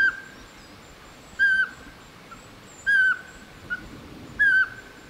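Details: Male Eurasian pygmy owl filmed in 2019 in Šumava National Park, Czech Republic, whistling in front of the camera: clear, short, level whistled notes repeated about every one and a half seconds, with a few faint softer notes between, over a quiet background.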